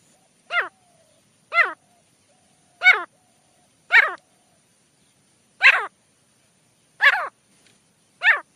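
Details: Male teetar partridge calling for a jungle hunting setup: loud, downward-sliding, harmonic notes about every second, seven in a row, against a quiet background.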